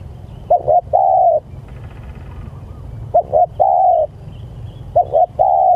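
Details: Spotted dove calling its companions: three low cooing phrases, each two short quick coos followed by one long drawn-out coo, repeated roughly every two seconds over faint background hum.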